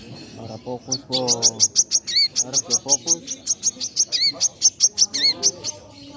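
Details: Caged sunbird, known locally as kolibri manggar or wiceh, singing energetically: a fast run of sharp, high chirps at about four per second, with a few lower buzzy and slurred notes mixed in, over a quiet background.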